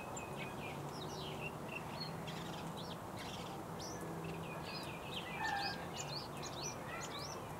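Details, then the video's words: Bluethroat song of scattered high notes building into a dense, rapid series of repeated sharp chirps near the end, over a steady hiss and a faint low hum. "Bluethroat כחול חזה"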